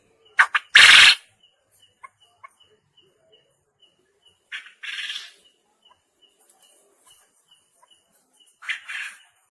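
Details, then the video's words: Quail calling in a contest-training recording. A loud, raspy burst with short leading clicks opens the clip, followed by two softer, similar bursts spaced several seconds apart. Faint regular ticking runs throughout. "Sound Of Puyuh (GACOOOOOOOOR)"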